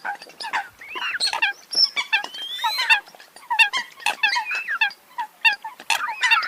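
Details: Eurasian coots calling together: clipped nasal honks repeated rapidly, punctuated by a few higher sliding squeals and sharp squeaky notes.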